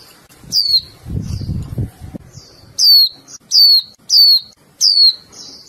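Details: Female Japanese white-eye calling to the male: high, thin downslurred chirps repeated roughly every half second after a burst of low rustling and handling noise.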